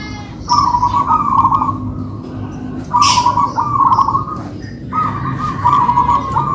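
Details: Two kept local-type zebra doves sing a duet. Rolling, bubbly coo phrases of about a second each come in three clusters with short silences between them. A soft low hum runs throughout.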